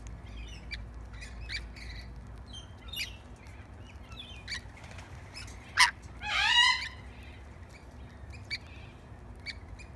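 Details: Tame lorikeets visiting for bread: scattered high chirps, then a loud rasping screech with stacked harmonics lasting about half a second, followed by more sparse chirps.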